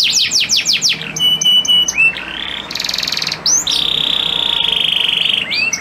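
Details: Male canary kept as a stud bird sings to make a female in breeding condition ready to mate; fast downward sweeps, a harsh buzzy section, then a long steady rolling trill ending with rising whistles.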